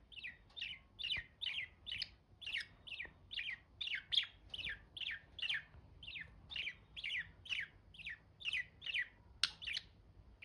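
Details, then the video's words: Pet budgerigars giving steady chirps: short, bright down-slurred notes repeated about twice a second for ten seconds, one sharper click-like note near the end, over a quiet low hum. "Budgies sound || Chirpy Birds"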